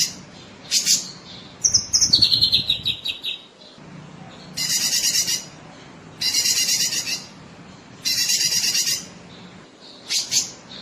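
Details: Sooty-headed bulbul recorded for training contest birds: a quick run of clipped descending whistled notes, followed by four harsh, pulsed buzzy bursts about two seconds apart and a short final note.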